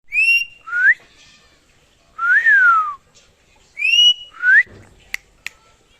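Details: Pet parrot whistling: clear, pure whistled phrases, each a high note followed by a sliding rising note, repeated with pauses, ending with two sharp clicks.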